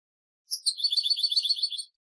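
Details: European goldfinch, song for teaching chicks: a short bright burst of rapid tinkling twitters, high and evenly spaced, lasting under one and a half seconds.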